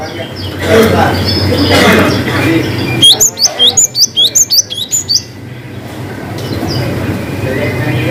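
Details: Vigorous cinereous tit song in the long 'wucit' style with 'ngalas' variations: a quick two-second burst of repeated high, chopped whistles, framed by muffled voices and room noise.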